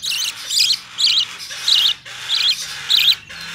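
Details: Opaline budgerigar chick, hand-tame, dated 25 November 2019: loud raspy, warbling squeaks in evenly spaced bursts roughly twice a second, each note twisting up and down, with low room hum beneath.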